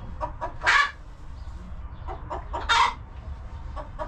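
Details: Chickens in a farm coop give two loud, raspy, drawn-out squawks two seconds apart among faint scattered clucks, against a noisy low background.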